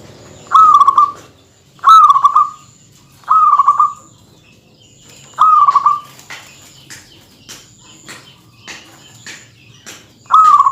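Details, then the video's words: Local zebra dove song aimed at stirring up rival males: a string of short, beaded trill phrases, four close together and then a gap filled with scattered clicks before a final trill. "suara kutut yang bikin emosi lawan perkutut lokal gacor suara padat menggoda lawan"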